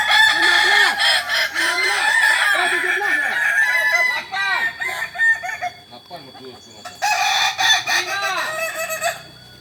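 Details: Kokok Balenggek roosters training together in Ampang Kualo, Solok, West Sumatra, Indonesia; dense overlapping crows of many short arched syllables pour out for about five seconds, fade into scattered notes, then a second loud burst of crowing follows.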